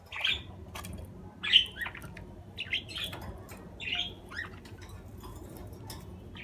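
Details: Budgerigar giving short, bright chirps at irregular intervals, roughly one every second or so, with some clicks and soft rustling in between.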